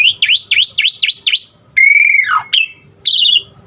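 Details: Asian pied starling fill-in song aimed at getting other starlings to sing: five quick V-shaped whistled sweeps, a long falling slurred whistle, then a short high warbled note.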